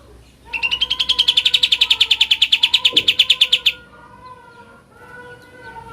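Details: Sooty-headed bulbul singing in the ngebren style: a fast, even run of about twenty bright repeated notes lasting roughly three seconds, over a lower steady whistled tone, followed by quieter soft whistles.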